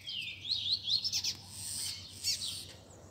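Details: Caged coleiros, double-collared seedeaters, sing in a group warm-up for a competition bird: clear rising and falling whistled slurs, quick and high, with further twittering and faint background murmur.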